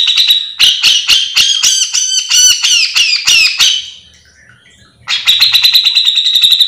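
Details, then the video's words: Cucak jenggot (grey-cheeked bulbul) in mbeset singing used to provoke other birds of the species: loud, harsh squawky notes with sliding down-turns repeated rapidly, a pause near four seconds, then a quick high rattle. "Cucak jenggot gacor full mbeset"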